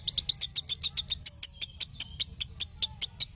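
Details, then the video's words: Lovebird chirping used as tutoring audio for young lovebirds: crisp, piercing high clicks and chirps repeated a little over twice a second, some thin whistled notes between, with low background rumble. "Masteran Ampuh Burung Love Bird"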